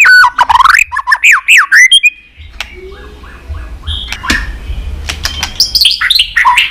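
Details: White-rumped shama song to provoke fighting song: loud looping, squawky whistled phrases for two seconds, then softer chattering notes, clicks and renewed whistles.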